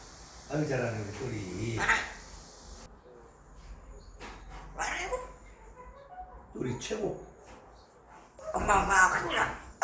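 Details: A five-year-old male African grey parrot talks in speech-like phrases, attempting English words in short bursts with pauses between, with a quiet indoor background.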